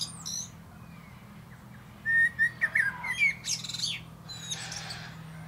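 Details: Common blackbird in a plum tree gives a soft whistled run around the middle followed by a burst of high, squeaky twittering notes, after a quiet opening.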